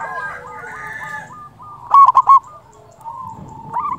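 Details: Local zebra dove with a big voice, used as a lure for trapping and to stir other doves into calling: soft hollow coo notes at one steady pitch, a loud burst of three clipped notes midway, then more gentle cooing.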